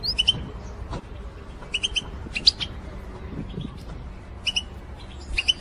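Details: Female European goldfinches calling in a group to stimulate males to sing. Short, sharp, high chirps come in small clusters every second or so over a steady low background hum.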